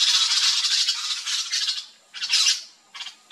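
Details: Yellow-chevroned Parakeets in a backyard in Brazil, a flock at fruit, giving a continuous two-second wash of shrill, grating squawks, then two shorter bursts of high chatter after brief gaps.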